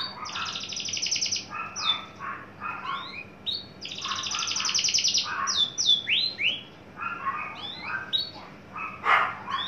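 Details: Adult male Javan bush lark kept caged and tame, coming into breeding condition, giving long rapid trilled phrases alternating with lower warbled notes and sweeping downslurred whistles.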